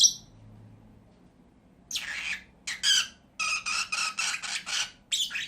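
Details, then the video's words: Harsh, buzzy squawking from two pet lovebirds: a short high note, a pause, then rough grating bursts that quicken into a run of rapid, raspy chatter. "CİCİKUŞ SESİ----Cennet Papağanı"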